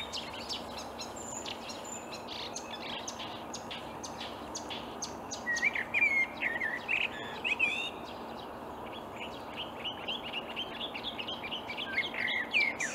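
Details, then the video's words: Marsh warbler singing from reeds early on a May morning, 2020, Upplands Väsby, Sweden: a long, continuous run of fast twittering and scratchy notes with interspersed whistled, mimic-like phrases and a few louder bursts, over faint steady background hiss. "Marsh warbler (Kärrsångare) i Upplands Väsby maj 2020"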